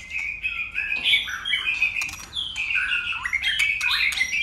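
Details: White-rumped shama in fight singing, flicking its tail and switching voices continuously: a varied run of whistled, warbling phrases, bending up and down, with sharp clicks between them.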